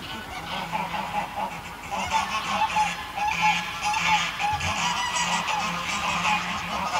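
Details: Greylag geese in a small flock giving a steady stream of overlapping honking calls, loud and nasal, several birds at once, with a few deeper, lower notes running beneath the chorus.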